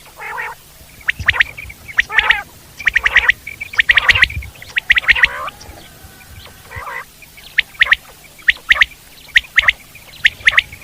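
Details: Wild common quail giving short, sharp notes in quick clusters about once a second, interspersed with harsher, croaking notes.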